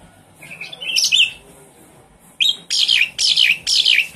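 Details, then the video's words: Javan pied starling kept in a cage, its song played as a lure for a bird that will not sing; soft notes build into loud, rasping bursts repeated roughly every half second. "Suara pancingan burung jalak suren macet bunyi"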